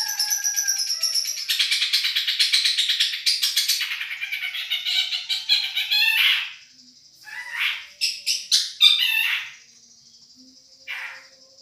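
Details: Long-tailed shrike of the Madura type in a masteran song-tutoring recording billed as champion voice: dense harsh scratchy chatter for six seconds, then separate buzzy rasping bursts after a pause.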